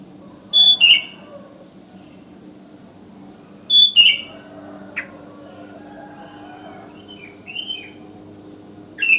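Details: Sooty-headed bulbul calling other bulbuls in the morning: short sharp whistled phrases, each a high clear note dropping into a quick slurred chirp, repeated roughly every three seconds with softer notes between, over low background hum.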